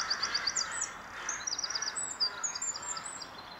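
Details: Eurasian wren song at Glimmen in April 2021, a fast run of high, sharp notes and trills tumbling through a short phrase, with a soft constant hum underneath.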